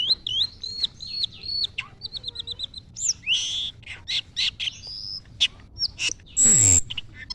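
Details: Asian glossy starling, caged songbird in gacor full-song condition, sings a varied run of sharp whistled notes, quick repeated chips and rising sweeps, ending in a loud harsh burst.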